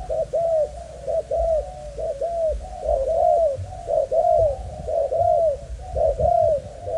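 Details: Male spotted dove of a Malaysian breeding line, kept caged: a long run of mellow couplet coos, short then long, repeated roughly once a second over a low background hum.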